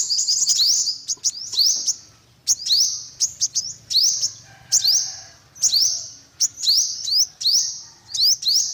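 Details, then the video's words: Yellow-bellied olive-backed sunbird repeating bright, rising chirps in short clusters, roughly every second, with a faint low hum in the background. "tiếng chim hút mật 5 màu bụng vàng"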